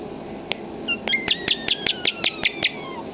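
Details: Common starling kept as a talking pet, indoors: a soft whistle, then a regular string of about ten sharp clicks, roughly five per second, laced with thin sliding whistles that fade at the end.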